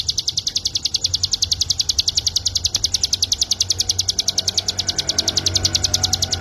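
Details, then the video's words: Cigun, the mountain white-eye, singing in a training recording for cage birds: an unbroken, fast string of high, chipping notes in a steady beat, with faint low background hum. "CIGUN ( CIBLEK GUNUNG ) MASTERAN BURUNG"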